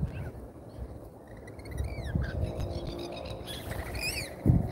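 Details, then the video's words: Lorikeets at a feeder in Australia, on a live feeder camera: a few scattered harmonic screechy notes sweep downward, over a steady low rumbling background with occasional thumps. "LIVE Lorikeet Birds from Australia"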